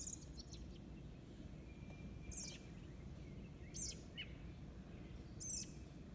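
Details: An American robin fledgling on a lawn in eastern North America, fed by its father, 06/06/2022, gives thin, high, scratchy begging notes sliding downward every one to two seconds over steady low rumbling background noise.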